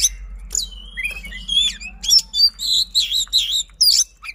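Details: Oriental magpie-robin (kacer) song in a fast lure recording: long sliding whistles, then rhythmic buzzy, harsh notes repeated about every third of a second, with a constant low hum beneath.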